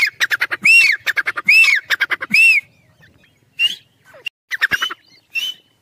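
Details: Fighting black francolin (teetar) chicks give rapid trains of rasping, clicky pulses broken by strong arched squawks, then scattered shorter, thinner calls after a brief pause.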